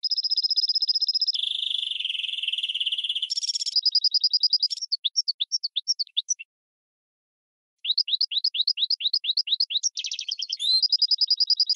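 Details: Goldfinch and red canary hybrid used as a training tutor: long steady high trills and buzzy rolls, then series of quick rising whistled notes repeated several times a second, a short pause, and more trilling.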